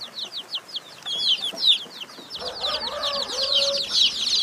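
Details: Many chicken chicks peeping nonstop, high overlapping chirps; lower, drawn-out tonal calls join partway through under the chorus.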